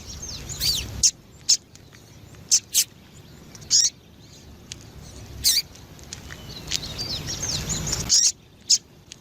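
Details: Sharp high-pitched chips from a female double-collared seedeater used to excite males, about eight clipped notes spaced unevenly over nine seconds, soft twittering faintly behind, steady low hiss throughout.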